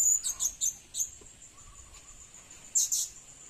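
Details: Lure recording of a blue-crowned hanging parrot: a few rapid high squeaky chirps at the start, a quiet stretch, then a brief double chirp near the end, with a faint high hum.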